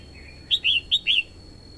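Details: Red-whiskered bulbul, a female luring wild birds and exciting a male: a crisp phrase of four bright warbled notes alternating short and longer slurs, with a steady high whine in the background.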